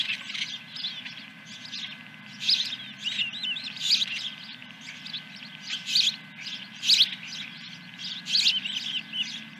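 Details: Osprey at the nest, Dunrovin Ranch, morning of 10 July 2021 with the first fish: repeated high chirping bursts that swell and fade every second or so, steady low hum behind.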